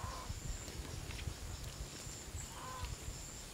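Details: Green peafowl in Phayao, northern Thailand, flocking toward dusk during the 2018 peafowl count of about seventy birds: a brief nasal call opens, another follows after a pause, with insects droning high and wind noise beneath.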